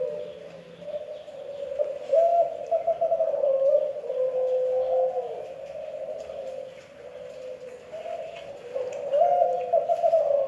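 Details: Spotted dove of the Kelantan type, its call described as strange: low, hollow cooing notes run together in a near-continuous, wavering hum, swelling and fading over a steady background hiss.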